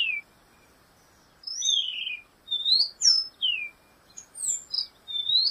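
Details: Black-goggled tanager, song of quick high whistled slurs, mostly falling in pitch, one opening note then a pause of over a second before a steady series of rising and falling phrases.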